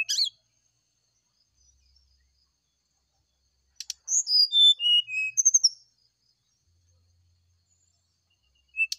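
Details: Brown-chested jungle flycatcher singing in the morning as bait for a reply: one short burst of fluty whistles, falling in pitch and closing with quick repeated notes, amid long quiet gaps.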